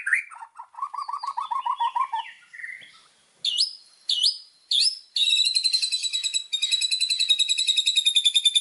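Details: White-rumped shama song used as a master recording for training birds: varied whistled phrases, low fluttering trills, sharp rising upslurred notes, then long fast buzzy rattling trills.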